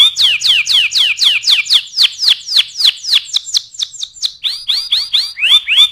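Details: Canary singing as a tutor for other birds, with a loud series of descending swept whistles about four per second, a short even trill, and then rising-falling arched notes repeated quickly.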